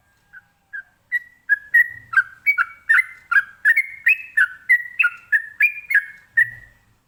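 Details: Ropelan-style song of a sooty-headed bulbul (trucukan), used to draw replies from other birds: a rapid run of about seventeen short whistled notes that starts softly and spaced, then speeds up and alternates higher and lower notes before ending.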